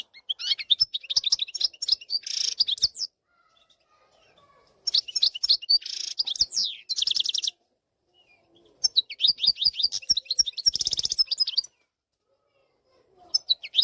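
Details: Wild European goldfinch song from 2024, played to train young goldfinches to sing: bursts of rapid, tinkling twitters and buzzy trills lasting about three seconds each, separated by short pauses, with occasional faint clicks.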